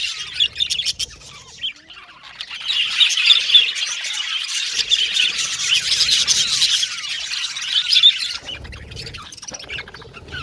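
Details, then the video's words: Pet Australian budgies whistling and chattering. Scattered chirps open the recording, then a dense, overlapping burst of high warbling from several birds swells for about six seconds before thinning back to sparse calls. "Australian Budgies Birds Singing & Chirping Sound"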